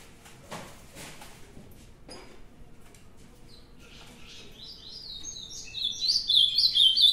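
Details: Ultramarine grosbeak from a singing challenge: after a few seconds of faint scattered notes and low background rumble, a loud, rapid song bursts in, made of fast warbled, sliding high phrases that grow stronger to the end.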